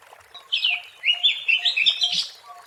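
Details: Oriental magpie-robin in the wild, singing for use as a lure: a loud, continuous, rich warbling phrase of clear whistles that rise and fall rapidly. Faint soft notes are heard behind it.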